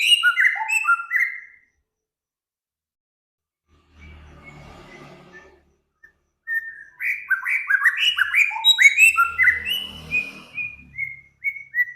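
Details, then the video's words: Cage-bird master recording combining several songbirds: bursts of clear whistled notes falling in pitch, quick descending runs and chirped phrases around two to four thousand cycles, with a quiet gap and a low rumble midway. "Burung Samyong, Kancilan Flores, Garugiwa Gacor"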